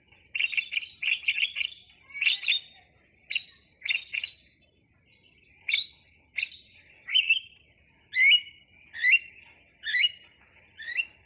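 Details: Starling (jalak) song, anak rimba style: high chirps and short whistled phrases, clustered at first, then spaced roughly every second, with faint low background hum.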